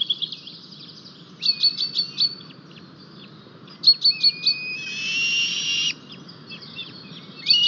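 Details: Estonian white-tailed eagles at the nest with one new chick on 4 May 2023, the male delivering a fish. Short series of sharp, high yelping notes come in bursts, with a buzzy rasping patch and small birds chirping behind.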